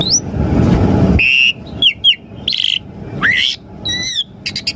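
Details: Asian pied starling singing, played to prompt caged birds to respond: whistled downslurs, harsh buzzy notes and an upswept whistle in an irregular series, with rumbling noise at the start.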